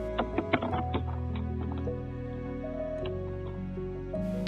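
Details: Soft instrumental music with plucked notes over sustained low chords and no animal voice.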